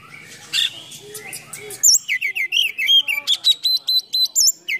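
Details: Oriental magpie-robin (kacer) lure song full of fill-in phrases from a bird fanning its tail and posturing like a cobra; soft low chatter at first, then a fast series of sharp, looping whistled notes, high and varied.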